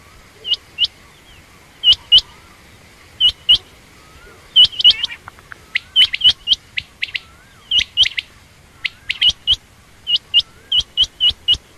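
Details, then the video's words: Female quail, common or rain quail, calling steadily in high, sharp doubled notes for about twelve seconds, the pairs becoming faster and crowded in the middle, with faint lower whistles underneath. "common quail/Rain quail sound)chinga batair ki Awaz)Звук самки перепела"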